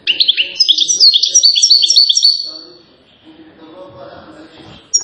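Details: European goldfinch, a champion singer from Settat, Morocco, delivering a fast twittering phrase of rapid high notes and trills for about three seconds, then a quiet pause with faint background sounds.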